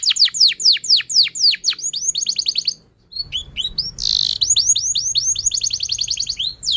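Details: Canary song meant to get other canaries singing: repeated descending whistled sweeps in quick series, a brief pause, a short buzzy burst, then more rapid rising and falling chirped notes.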